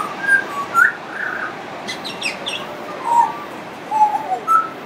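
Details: Friendly pied butcherbird singing at length, with mimicry in the song: pure flutey whistles rising and falling, a cluster of high chirps around two seconds, then more mellow level whistles.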